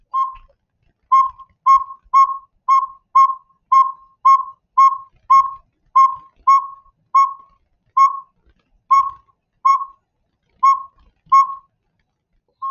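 A Northern Saw-whet Owl gives its toot series: clear, even whistled toots on one steady pitch, about two each second, with no other sounds.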